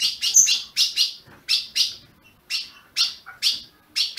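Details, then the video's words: Captive ultramarine grosbeak from a Brazilian breeder calling to stimulate a caged bird: loud, clipped high chirps in twos and singles about every half second, with one brief thin whistle at the start. "Azulão piando"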